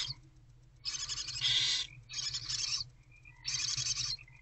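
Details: Owlets of the barn owl inside a nest box at night, 2/11/24, shortly after 4 am while the mother is out: three long rasping, noisy hiss bursts, each roughly a second, with brief quiet spells between and steady low background hum.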